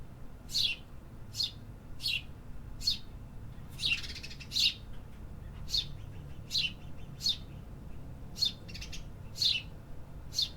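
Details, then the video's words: City birds singing: regular sharp high chirps about every second, with a louder, broader burst near the four-second mark, over a soft low hum. "Urban Birds Sound Effects -- Hear the activity"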